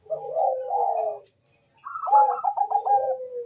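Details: Bangkok-type zebra dove singing, a song meant to stir mating drive and prompt other birds to sing: a long mellow coo, a brief silence, then a bright rolling trill of quick stacked coos ending in a falling note.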